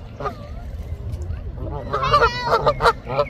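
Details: Canada geese giving a quick run of loud nasal honks in the second half, after quieter scattered calls and a low background rumble.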